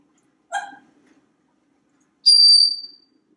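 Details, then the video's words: African Grey Parrot indoors in a Texas home on a kitchen faucet; a short clipped chirp, then after a silence a loud, high, sustained whistle lasting about half a second. "Einstein resolves to talk more in 2020"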